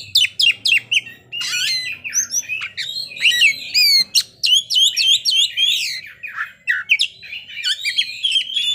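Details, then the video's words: An Oriental magpie-robin pours out its fill-in song repertoire: rapid downslurred chips, buzzy rasps and rising whistles in a busy, continuous flow. "kacer ngeplay bongkar isian"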